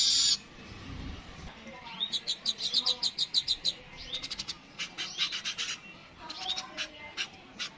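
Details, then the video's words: Streaked weaver uttering a loose series of short, sharp, high chips and dry ticking notes, some in quick clusters, against a quiet background. "Burung Manyar kepala kuning suara asli"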